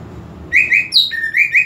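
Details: Greater green leafbird song used to provoke aggression: two rising whistles, a higher descending note, then further rising whistled notes in a brisk, ringing phrase.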